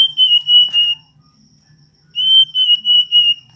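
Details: Hill blue flycatcher singing two phrases of loud, pure whistled notes, four or five in each, even in pitch and evenly spaced, separated by a second of near silence.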